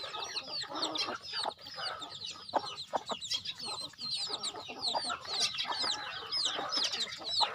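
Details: Chickens fed on a rural farm, a crowded chorus of piercing falling peeps and clucks from numerous birds, with occasional sharp clicking sounds.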